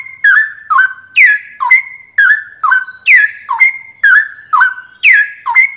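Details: Loud cucak rowo (Straw-headed bulbul) masteran song: clear whistles that drop and flatten out, repeated in quick succession, roughly twice a second, with crisp clicky starts on a silent background.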